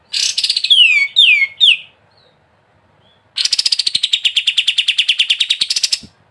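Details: Descending slurred whistles open this ngebren song of a sooty-headed bulbul (kapas tembak). After a short silence comes a long rapid series of repeated notes.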